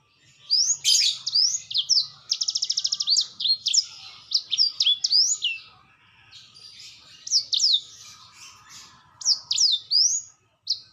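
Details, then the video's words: Black-throated canary singing energetically ('gacor'): fast, high twittering phrases of sharp up-and-down whistled notes, buzzy trills and a rapid rattling run, broken by short pauses; faint low hum beneath. "Paud blackthroat gacor"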